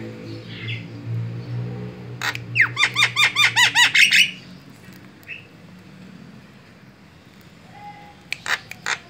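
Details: Javan myna lure recording, white-eyed type, used to attract other birds: a burst of rapid repeated harsh notes with rising-falling harmonics lasting about two seconds, then scattered faint chirps and sharp clicks over a low droning hum.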